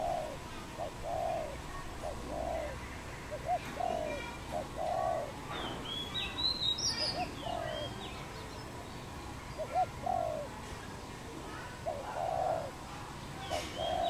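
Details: Wild dove in Cambodia, recorded 24 April 2020: a low, soft coo phrase repeated every second or two, with a brief burst of high, thin chirps from another bird midway and a faint outdoor hiss.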